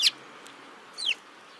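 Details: Sparrows giving two short, high chirps, each sliding quickly downward, the second about a second after the first, against a quiet background.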